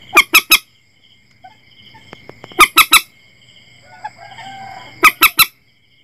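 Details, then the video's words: Common Moorhen lure calls for night netting: three evenly spaced bursts of three loud, grating notes about two and a half seconds apart, with faint clicks and a steady hum between them. "suara burung mandar batu terbaru 2022 cocok untuk pasang jaring malam hari"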